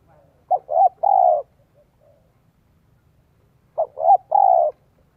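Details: Vietnamese decoy spotted dove cooing the 'son 1 cốt' voice to lure wild doves: two identical three-note phrases roughly three seconds apart, each ending in a long mellow coo.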